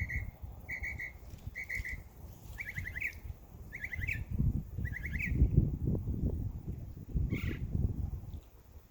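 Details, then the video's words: Birds chirping in a backyard in summer: short, bright chirp bursts repeated roughly twice a second, shifting into quick rising trilled notes midway, with a final higher chirp, all over a steady low rumbling background noise. "Birds Chirping Sound"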